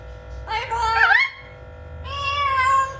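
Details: Blue-fronted amazon parrot described as talking funnily produces two loud, drawn-out, voice-like sounds. The first dips and rises sharply, and the second is held steady, against a constant hum.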